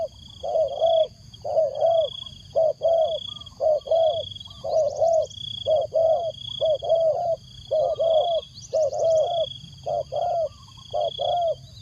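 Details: Rhythmic cooing from a decoy spotted dove luring wild birds: many mellow coo pairs in quick succession, with faint high chirps twice and a steady background whine.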